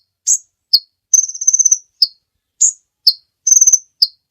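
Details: Kolibri ninja sunbird song, a recording meant for training other caged birds: sharp high chirps alternating with rapid buzzy trills, about eight bursts in four seconds, nothing else audible.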